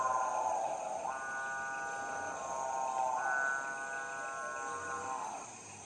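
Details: Capuchinbird (Perissocephalus tricolor) at the Trombetas River, Brazilian Amazon, giving two long, low moaning notes, each swelling and held about two seconds, with a rich humming cow-like tone over steady forest hiss.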